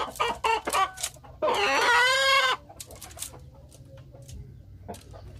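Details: Rooster crowing in a village: a few short clucks, then one loud, harsh, sustained crow of about a second, steady in pitch and rich in overtones, followed by quieter scattered clucks over low background rumble.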